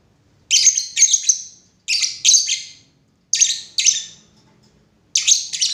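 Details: Lovebird giving shrill, harsh high chirps, mostly in quick pairs, each burst trailing off; four bursts separated by short silent gaps, with no other sounds.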